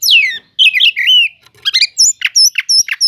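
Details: Oriental magpie-robin, a kacer cele'ngan, singing as bait to rouse sluggish magpie-robins: loud whistled notes sweeping downward, then quick chattering slurs and sharp rising chips, with brief pauses between phrases.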